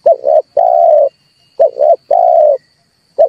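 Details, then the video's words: Lure recording of a red turtle dove used for bird trapping, its gruff cooing phrase of two short notes then one long rolling coo, heard twice, plus the start of a third, over a thin constant electronic tone. "tiếng chim cu ngoi dùng cho kich chim hót dùng để bây"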